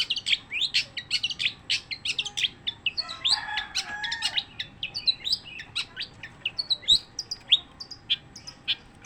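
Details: Nonstop long-tailed shrike song, a dense rapid chatter of high sharp notes and short rising whistles running the whole time, with a brief lower scratchy patch midway.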